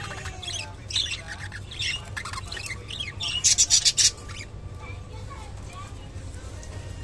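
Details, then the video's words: Japanese budgerigar eating water spinach (kolmi shak), giving scattered thin high chirps and squawks, then a quick burst of five or six sharp rasping notes, over a steady low background hum. "japanese budgerigar eating kolmi shak"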